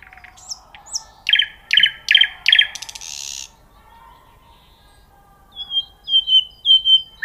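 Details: Nightingale phrases, loud and close: quick downslurred notes, four strong repeated strokes, a harsh hissing burst, silence, then a row of clear sliding whistles.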